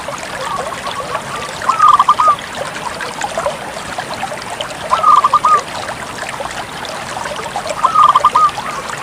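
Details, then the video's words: Zebra dove of the Bangkok type in full song: three short bursts of rapid, rolling coos, each a little stuttered series of mid-pitched notes, spaced about three seconds apart over a steady background hiss. "suara perkutut bangkok gacor"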